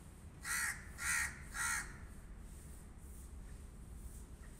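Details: Harsh, raspy cawing from a crow: three loud caws in quick succession, roughly half a second apart, followed by quiet background hum.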